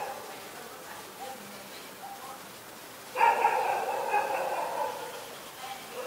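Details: Black-collared starling in Ubon Ratchathani, Thailand, recorded 24 October 2021: after three seconds of quiet background, one loud, harsh, drawn-out screech with a rich, layered tone holds for about two seconds.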